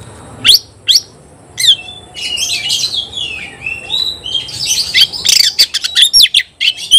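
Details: Oriental magpie-robin facing a rival, opening with a few sharp high chips, then a long scratchy chattering passage that turns into quick clicking notes and bright whistles.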